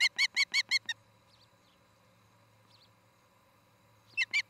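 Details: Nest-camera recording of an osprey pair's nest in Charlo, Montana, 17 August 2018, evening: a quick burst of five piercing chirps, a quiet pause with faint distant twitters, then three more chirps starting up.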